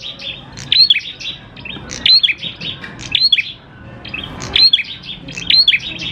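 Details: Energetic prinia song used as a lure to prompt other prinias to sing: high, bright chirping phrases of rapid notes with short upslurred whistles, repeated roughly every one and a half seconds with brief pauses.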